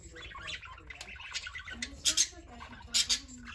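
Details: Playing parakeets: low murmuring warble, then paired bright, harsh squawks, two sets close together near the end.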